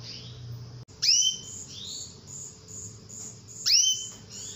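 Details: Female canary giving luring calls to get a male singing: two loud, piercing upswept notes roughly two and a half seconds apart, separated by softer rising whistles, with steady high pulsed beeps in the background.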